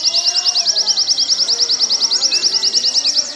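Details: Warbling white-eye song meant for training caged birds, a steady, very regular trill of high sharp chirps repeated roughly three times per second throughout, over faint background bird whistles.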